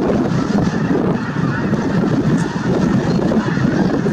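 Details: Snow geese flock at Merced National Wildlife Refuge on 22 January 2023, honking continuously in a dense, roaring chorus with no gaps.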